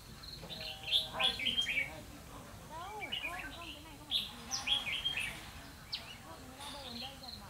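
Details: Red-whiskered bulbul decoy during trapping on 12 November 2016, singing a fighting song of loud, sharp whistled phrases repeated in several bursts, with people talking audibly in the background.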